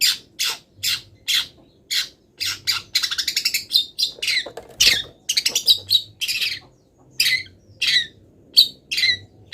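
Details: Long-tailed shrike, not yet finished molting, delivering an energetic song filled with copied wild-bird phrases: steady high chirps, a fast rattling trill near four seconds, then spaced downslurred notes.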